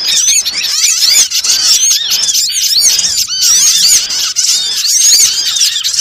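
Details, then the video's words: Small birds chattering together as a bird-trapping lure, a thick wall of quick, high-pitched, rising-and-falling chirps with no gaps and occasional louder piercing squeaks. "suara pikat burung kecil"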